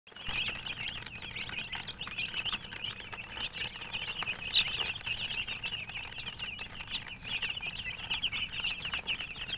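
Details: Colored chickens chirping: a dense, continuous chatter of high, thin peeping notes from many birds at once, with soft rustling and patter underneath throughout.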